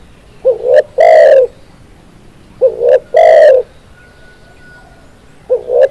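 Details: Spotted dove coos in steady sequence, each phrase a rising two-part lead-in and a long husky coo, repeated every two seconds; a faint thin whistle tone runs briefly in the background.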